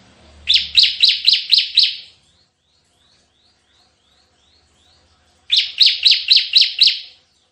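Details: Bar-winged prinia singing vigorously in the 'tembakan' (shooting) song style: two bursts of about six rapid, sharp, high chipping notes, separated by roughly three seconds of silence.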